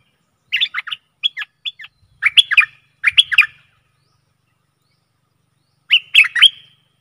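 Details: Decoy recording of a Stripe-throated bulbul, meant to draw in aggressive wild birds, dated 12 December 2021: short bursts of liquid chirping notes, then a pause of about two seconds before a final gurgling phrase.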